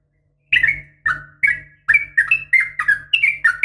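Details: Female sooty-headed bulbul calling males with uplik tarung notes: a steady run of clear, downslurred whistled chirps that speeds up toward the end, over a faint low hum.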